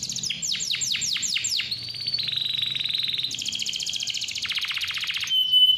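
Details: Clear canary song used to draw young or lazy canaries into singing: six loud falling whistled sweeps, then a long steady trill, shifting to a higher roll and a lower pulsed trill.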